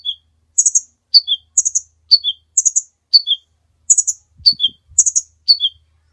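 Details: Long-running kolibri ninja sunbird song meant for tutoring caged birds: a steady cycle of a burry high note followed by two dropping chips, repeated roughly every half second. Faint low thumps appear near the end.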